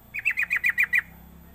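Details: Sooty-headed bulbul calling as a lure to get other bulbuls to call quickly: six loud, clipped, downslurred notes spaced evenly across under a second, then quiet.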